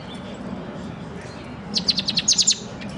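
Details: Pet bird, black and white with a silver beak, singing: after a quiet stretch of low background hum, a quick burst of about eight sharp, high chirps in a rapid even series, lasting under a second.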